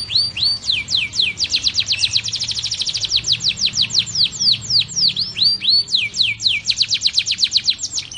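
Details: Blackthroat roll from a canary, recorded for tutoring canaries and White-rumped Shamas: quick downslurred whistles merge into a very fast even trill, then loosen into spaced sweeping notes, about four a second, over a soft low hum.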